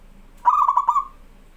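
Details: Local zebra dove (perkutut), a strong, vigorous singer used as a tutor for young birds, gives one soft cooing phrase of several quick pulsed notes that ends in a drawn-out trill. The recording is quiet around it.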